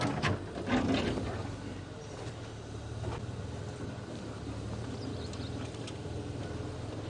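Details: Low engine rumble from a safari vehicle on an early-morning drive, with faint voices and scattered knocks and no animal call heard.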